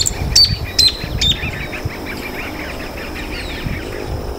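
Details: Freckle-breasted thornbird recorded at Laguna del Diario, Uruguay, on 17 April 2013: three sharp, high chipping notes about every half second, then fainter, lower notes trailing off, over a low rumble of wind.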